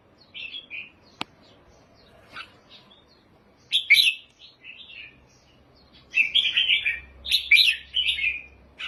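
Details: A red-whiskered bulbul sings short, liquid, slurred whistled phrases separated by pauses, building to lively warbled bursts near the end, with a single sharp click and faint low rumble in the background.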